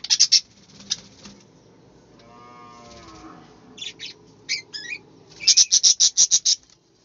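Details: Budgerigars chirping in an aviary: bright, sharp chirps in bursts, ending in a fast run of about eight evenly spaced notes, with a low drawn-out lowing call partway through.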